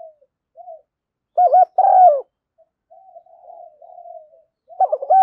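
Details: Spotted dove decoy calls used to lure wild doves, in the thúc gù and gáy gọi styles: soft low cooing notes, then a loud doubled coo with a rolling moan, quieter wavering coos, and another strong coo at the end.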